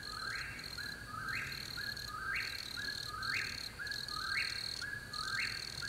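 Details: An Eastern Whip-poor-will on a moonlit night in Pickett State Park, Tennessee, repeats its rolling three-part whistled phrase about once a second, each ending on an upward snap, over a steady high trill of crickets.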